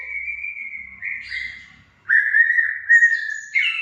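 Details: White-rumped shama of the Aceh type, a kept bird named El Capitano, giving long clear whistled notes held level, with short higher whistles and a brief pause between phrases.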